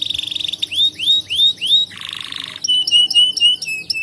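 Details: Canary song as a lure for young canaries: a quick trill leads into evenly spaced rising-falling whistled notes, a short buzzy section, then crisp repeated chirps, all bright and high.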